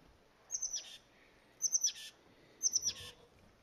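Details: Oak titmouse in a valley oak tree at a nursery: three bursts about a second apart, each a quick series of three or four high thin notes followed by a harsh buzzy rasp, over quiet background.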